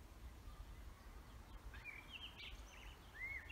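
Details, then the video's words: Forest birdsong, quiet at first, then thin whistled notes and a short warbling phrase in the second half, ending with a clear rising-falling whistle, over low constant background hiss. "Vogelgezwitscher Bird songs"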